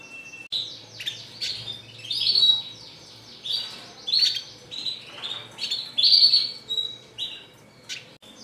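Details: Red siskin chattering steadily, classic style: a string of bright, slightly buzzy twittered phrases and quick slurs, each roughly half a second long, repeated with little pause.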